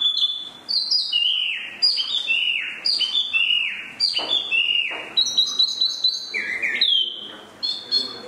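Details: Spot-throated babbler song: loud, clear whistled phrases, many notes sliding downward, delivered in rapid varied bursts with brief pauses, high and ringing throughout.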